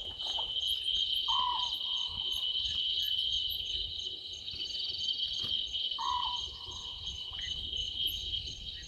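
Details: An owlet in a tree at Gowrie dam, Djuma Game Reserve, Sabi Sand, South Africa, at 00:38 on 11/12/2023, gives two soft, steady whistled notes about five seconds apart beneath a dense, shrill night cricket chorus.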